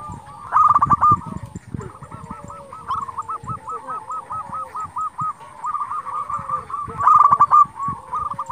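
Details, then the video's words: Local zebra dove in full, steady song, used as a lure to provoke rival doves into answering and to raise their breeding drive: rapid bubbling staccato coos in quick repeated phrases, mid-pitched, with louder bursts near the start and end, some background rustling. "Perkutut lokal gacor Sekali Putar Lawan Pasti Emosi Langsung Nyaut"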